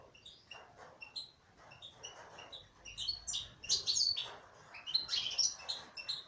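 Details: Rapid twittering from a female European goldfinch: soft, spaced chirps build into fuller, faster bursts of bright, jangling notes, several notes a second.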